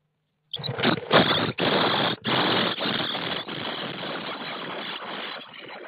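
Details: Nestling common starlings in a nest box on 24 May 2017, picked up by an IP surveillance camera mounted inside: after a quiet start, a continuous loud, scratchy wheezing chorus rises and slowly fades, pulsing with brief gaps.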